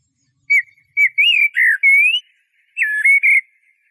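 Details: Blackbird singing a run of clear fluty notes, some slurred downward, one long rising whistle, then a short pause and a closing cluster of whistled notes; no other sounds.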